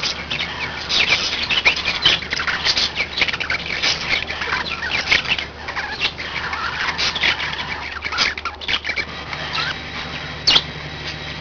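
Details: Budgerigars, five pets together, warble and chirp in a lively, uneven stream of scratchy notes and short squeaks, one sharp click near the end, with background hum.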